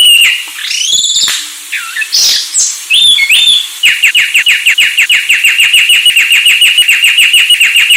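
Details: Anis Sulawesi song opening with varied whistles and slurs, then shifting into a fast run of rapidly repeated chirping notes, about three per second.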